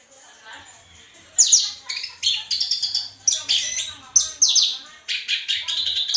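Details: Orange-headed thrush in full, lively song: rapid bursts of high, sweet whistled and buzzy phrases with fast slurred notes, delivered in quick runs separated by short pauses, with a faint low hum underneath.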